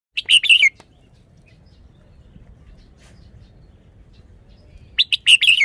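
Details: Red-whiskered bulbul in Thailand showing off its song phrasing: two bright, quick warbled phrases, each a burst of three or four chirpy notes, separated by about four seconds of quiet with faint low background hum.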